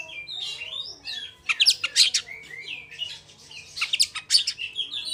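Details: Oriental magpie-robin of the fast rolling type, sung to lure other magpie-robins into song: dense run of sharp chirps, twangy slurred notes and piercing high accents, nearly continuous over five seconds.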